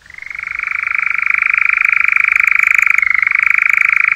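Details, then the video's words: Paired male European nightjar giving its song: a steady, mechanical churring trill of very fast pulses that swells in over the first second and holds evenly, with a brief slight drop in pitch near the end. "Paired Male Nightjar Song"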